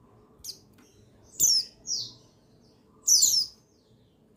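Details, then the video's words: Male buxtoni white-eye (pleci), played to stimulate lazy birds to sing; high, thin chirps sweep downward in short bursts at irregular intervals, with quiet gaps between and faint low background hum. "Buxtoni Menaikan Emosi Burung Pleci Bahan Agar Pleci Bustomi Gacor Cepat Bunyi"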